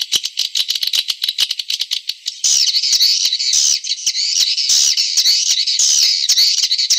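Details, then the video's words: Swiftlet calls built to draw in swiftlets. Rapid clicking comes about twice a second at first, then gives way to a continuous, wavering, high buzzy twitter with rising and falling chirps. "Suara Walet Pancawarna suara andalan"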